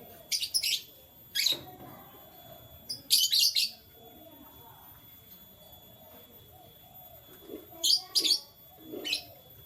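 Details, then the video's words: Canaries in the morning: short bright chirp bursts in quick pairs and clusters, separated by pauses of a second or more, over a faint low background murmur. "Canary Chirping Sounds"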